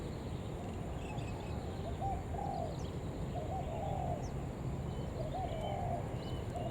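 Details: Spotted dove call used as a lure for other doves: gentle cooing phrases spaced a couple of seconds apart, muffled under a heavy low background hum, with scattered faint high bird chirps.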